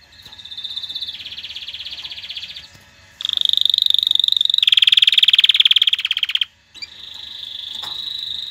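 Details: Canary song to encourage mating and tutor young: successive rolling tours, a softer lower trill, then a loud sharply pulsed rattle, a dense buzzing roll, a short silence and a renewed high trill.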